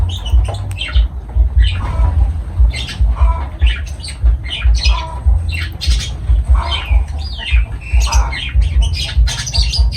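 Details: Lovebirds calling with a run of sharp, shrill squawks and chirps, uneven bursts about every second or two, over a steady low rumble in the background.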